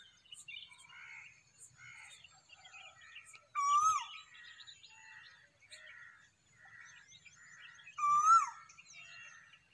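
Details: Cuckoo calling at sunrise: a loud, clear, slurred whistled note that rises then drops, given twice about four seconds apart over a busy dawn chorus of chirping and twittering small birds.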